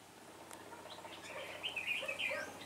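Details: Red-whiskered bulbul calling the flock as lead decoy during trapping, 26 November 2017, twenty birds taken; a fairly faint burst of warbled, chirpy notes late in the recording over background hiss.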